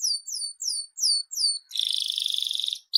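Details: Canary of the Seri FI type in vigorous song: five evenly spaced, clear downslurred whistles, then a dense, rapid, high rolling trill lasting about a second, ending with a short sharp note.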